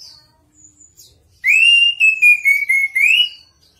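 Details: Song of a chestnut-capped thrush (anis kembang): after a few quiet, high notes, a loud, sustained whistle wavers slightly and is broken into several pulses, ending on a brief rising lift.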